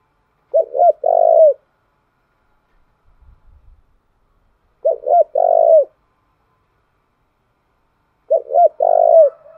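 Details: Spotted dove song played as a lure to stir wild doves and train decoy birds: three identical phrases of two short coos and a long hollow coo, spaced roughly three and a half seconds apart, in a quiet setting.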